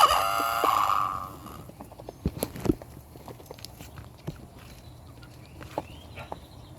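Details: Rooster wearing a rooster collar, crowing: a short muffled, harmonic-rich crow in the opening second that fades quickly, followed by scattered clicks and faint chirps from other birds.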